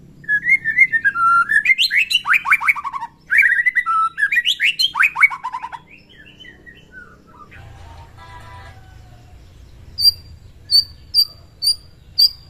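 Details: White-rumped shama morning song, played to provoke fighting spirit in other shamas. A rich, fast run of varied whistles and trills repeats twice, then scattered clicks and short high chips follow over a soft hum.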